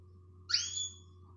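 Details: Female canary calling to excite males: one brief, bright chirp that sweeps down then flattens into a thin high whistle, over a steady low hum.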